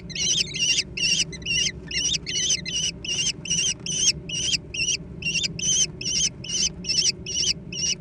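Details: Young American kestrels squabble over food, giving harsh, wavering screeches in rapid bursts, about two or three a second, steady and repeated throughout, with a low hum in the background.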